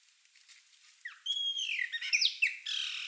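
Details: Chopi blackbirds flocking at a feeder: a long level whistle with overtones gives way to quick down-slurred liquid notes and a rough, squawky ending, over a constant murmur of other birds.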